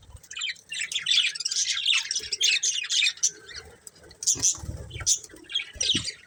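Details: Breeding pair of budgies chattering in busy warbled chirps, followed by sharp separate notes and low knocks.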